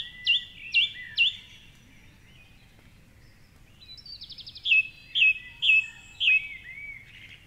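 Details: Song thrush, a male on his favourite treetop perch by the Curragheen River, Cork City, at 4.45am dawn chorus; a sharp whistled note given three times, a pause, a short rattle, then another note repeated four times.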